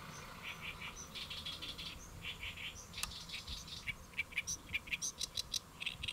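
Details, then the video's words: Great reed warbler perched on a lotus leaf, Saemangeum, Gimje-si, Jeollabuk-do, Korea, midday 1 July 2024; croaking, grating phrases build into a fast series of sharp repeated chattering notes toward the end. "연잎에 앉아 우는 개개비 Great Reed Warbler Chirping on a Lotus Leaf"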